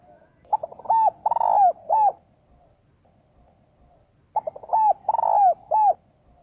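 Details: Female spotted dove cooing to stimulate males: two loud phrases of mellow, hooked coos around 700–900, each a short stuttered lead-in then a long throaty note and a clipped final coo, about three seconds apart, quiet background.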